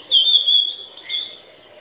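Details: Single long, pure whistle from an Oriental magpie-robin, held steady for over half a second, followed by a softer lower note that fades away.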